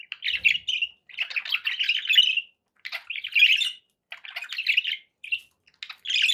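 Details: Pet budgerigars utter phrases of rapid, grating chirrups, each lasting about a second, separated by short quiet gaps, with a few clear squeaky notes between.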